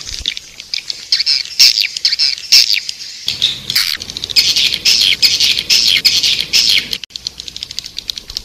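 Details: Edible-nest swiftlet calls used as a 'Raja Liur Emas' lure for swiftlet houses: busy, squeaky high twittering with clicks, in roughly two-per-second bursts, with abrupt edits between sections.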